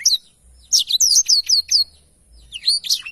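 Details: Black-throated canary singing, recorded as tutor song for training cage birds; a quick run of bright, downward-slurred whistles repeated about five times, then a pause and a short buzzy phrase.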